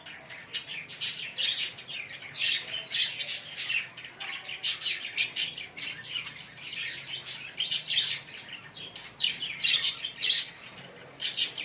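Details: Fischer's lovebirds, a green pair, twitter steadily in rapid, evenly loud series of thin, high chirps that continue throughout.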